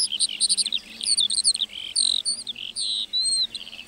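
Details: High, bubbling lark song from a meadow, with quick twittering bursts that give way to longer, smoother whistled notes.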